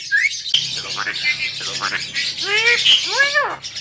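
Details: A tame Javan myna, noted as a talker, produces a hissing, scratchy jumble followed by two strong arched, voice-like harmonic calls, rising then falling.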